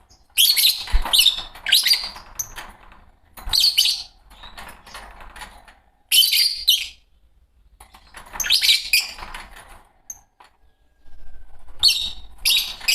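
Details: Green Fischer's lovebird pair singing and chirping in a long run of shrill, rasping chirp bursts with short pauses, mixed with quieter twittering and an occasional soft knock.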